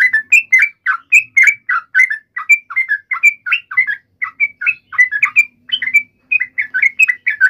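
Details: Agitated yellow-vented bulbul in a provoked fighting call, an unbroken stream of quick, bright chirps that swoop up and down, delivered rapidly and almost without pause.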